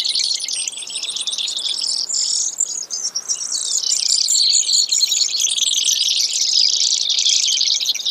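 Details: Brewer's sparrow giving long, high trills of rapid notes, about four per second, with shifting pitch sections that blend into one another over eight seconds.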